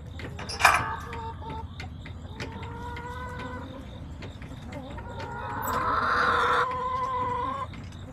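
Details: Backyard flock of chickens filmed on September 20, 2024: a sharp squawk near the start, then drawn-out harmonic clucks and calls, with a louder, longer call building around six seconds before fading.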